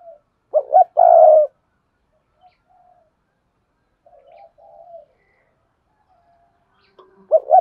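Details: Spotted dove decoy calling wild doves in: a crisp double note and a drawn-out coo, then soft quieter coos, and another double note starting at the end.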